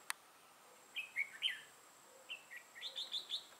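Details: Red-whiskered bulbul, a decoy bird of the dark-bibbed lân crest type, used for trapping on 6 November 2018: short chirpy phrases of quick warbled notes, one group then a longer rising run of bright chirps, distant and quiet.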